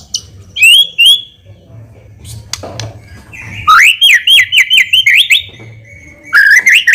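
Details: White-rumped shama song played as a lure to provoke a fast reply: a few sharp whistled notes, a pause with a brief voice and knock, then bursts of rapid rising whistles in quick succession.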